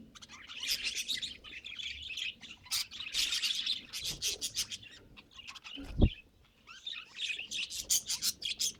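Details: Budgerigar kept as a pet, chattering in rapid scratchy warbles and clicking chirps in several bursts, with one sharp low knock partway through and brief quieter pauses.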